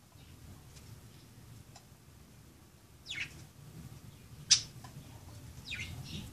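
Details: Budgerigars playing, with a few sharp descending chirps spaced a second or more apart over low background hum.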